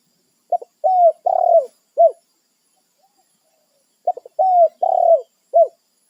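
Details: Territorial wild spotted dove calling its companions, giving two matching coo phrases about three and a half seconds apart. Each begins with a quick double note, swells into two long soft coos and ends with a short falling note.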